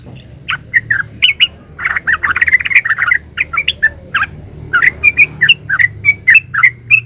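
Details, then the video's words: Yellow-vented bulbul in full 'gacor ropel uplik' flow, a master song for other birds: hurried jumble of rich, warbling notes followed by a regular series of clear, high chirps. "Suara burung trucukan GACOR ropel uplik ini ampuh buat masteran trucukan biar nyaut"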